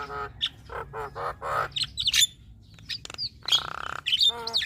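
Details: Female Javan myna giving a full-fill-in song. Repeated harsh, stacked chattering notes and high squeaky whistles lead to a buzzy rattling note and closing squawks.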